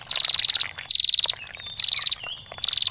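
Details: Female bar-winged prinia ngetir, for songbird training: four short, fast, high ticking trill bursts in three seconds, with faint water behind.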